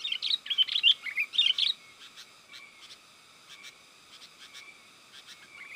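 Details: Sooty-headed bulbul lure call used to draw wild birds: a lively burst of bubbly, chattering notes for under two seconds, followed by faint steady tones and quiet background.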